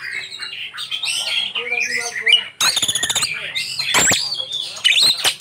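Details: Oriental magpie-robin singing a full, filled-in (isian) song: a dense run of varied whistles, harsh notes and quick trills, with some harmonic, voice-like phrases mixed in.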